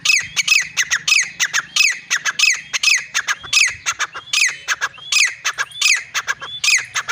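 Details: Loud, rhythmic partridge calling: grating, ringing phrases given over and over in rapid runs, with a faint low hum in the background.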